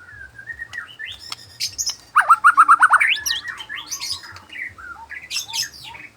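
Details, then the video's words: White-rumped shama singing in the afternoon, with scattered soft whistles, then a rapid rhythmic trill of about eight notes, followed by varied slurred phrases reaching high pitches. "merdunya suara burung muray di sore hari"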